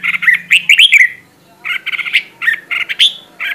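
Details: Red-whiskered bulbul decoy singing spirited training song: quick runs of bright whistled notes, a pause, then more clipped phrases and one higher upswept note. A faint low hum sits underneath.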